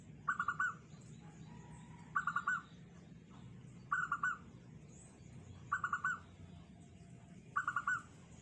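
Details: Song of a local Zebra dove, prized for a small, tight, unique voice: five short bursts of rapid, rolling cooing notes, spaced about every two seconds, with a steady low rumble and faint hiss behind.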